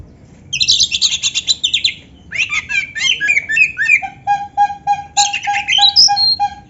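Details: Oriental magpie-robin (kacer) song filled with canary phrases, played to stimulate kept birds: a high buzzy rattle, then tumbling chirps ending in a steady row of short, evenly spaced low notes under fast high twittering.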